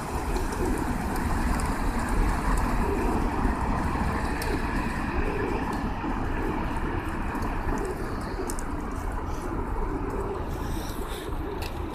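Steady low vehicle rumble and traffic noise, with no clear animal calls.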